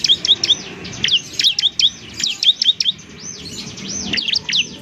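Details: Bar-winged prinia (ciblek), semi-gacor, used to train other birds. Sharp high twitters alternate with sweeping arched whistles in quick groups of three or four notes.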